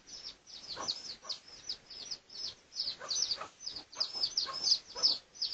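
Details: Red junglefowl, pradu colour variety, recorded for research on 18 August 2023: high, sharp peeps repeated about three times a second, uneven in loudness and sometimes coming in quick pairs.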